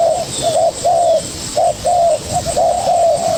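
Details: Spotted dove, a young bird answering a decoy, gives a quick run of soft hooting coos, a short note then a longer slightly falling one, repeated in pairs under faint hiss.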